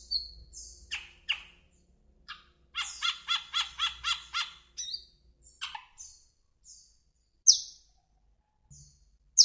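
Asian glossy starling giving sharp, high metallic whistles and squeaks, with a run of about eight quick, harsh chattering notes in the middle.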